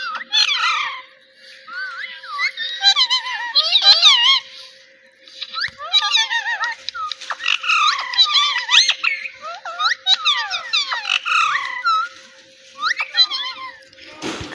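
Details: A playful talking parrot showing off its mimicry of human words such as "Mitthu"; long stretches of quick, wavering, squeaky syllables and swooping notes in clustered phrases, ending in a sharp noisy burst.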